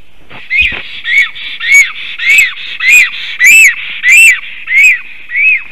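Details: Female black stork singing at a nest while the male watches, 11:40 am on 18 May 2023: about ten arched, whistled notes near the same pitch, repeated roughly every 0.6 seconds over a faint steady hiss.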